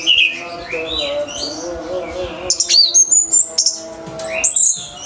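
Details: Orange-headed thrush singing in the energetic 'teler' style used as a tutor for pet birds: rising and falling whistled slurs, then a quick sequence of very high clear notes repeated several times, with faint low hum underneath.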